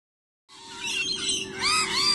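Several lorikeets screech over one another in a harsh, shrill chorus of grating squawks and rising whistled notes that starts abruptly after a moment of silence.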